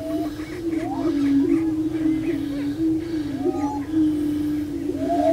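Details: Prairie chickens displaying together on a lek at Bluestem Prairie Preserve near Glyndon, Minnesota: a hollow, low, sustained booming drone with occasional upslurred whoops floating over it.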